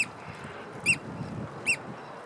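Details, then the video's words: {'caption': 'Oystercatcher giving loud piercing piping calls, three short shrill notes roughly a second apart against a constant rushing background noise.'} "A Noisy Oystercatcher"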